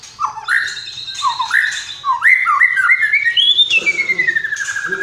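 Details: White-rumped shama singing a melodic run of short rising whistles, then a long whistled note that slides slowly downward with a slight warble.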